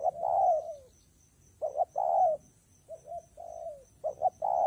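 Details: Spotted dove cooing in rainy, windy weather: two-part phrases with short clipped notes and then a long, mellow, falling coo, repeated about every two seconds. A faint, high, pulsing tone runs in the background.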